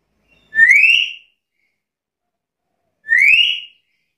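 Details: A black-capped lory in full voice repeats a loud rising whistle twice, roughly two and a half seconds apart, each call short, clear and sweeping upward with no other sounds.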